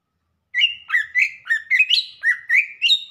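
A Greater Green Leafbird sings a quick run of about nine rich, slurred whistles, rising and falling at roughly three notes per second. No other sounds.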